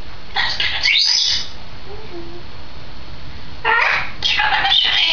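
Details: Two-year-old female grey parrot kept as a pet, recorded 16 May 2010: two bursts of harsh, broadband squawking, the first about a second long, the second longer and ragged, separated by a quiet pause over a low steady hum.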